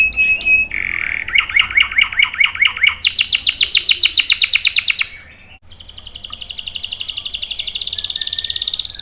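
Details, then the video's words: Canary song used as a lure and master for young and non-singing canaries. A few short notes lead into a lower pulsed trill, then a brighter rapid roll, a brief pause, and a long steady trill. "SUARA KENARI GACOR ampuh buat pancingan dan masteran kenari paud dan macet | CANARY SINGING"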